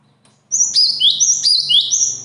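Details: Sudden loud birdsong of high, shrill repeated phrases, each a sharp upper note joined to a lower sweeping whistle, about three per second for nearly two seconds, with a faint low hum behind.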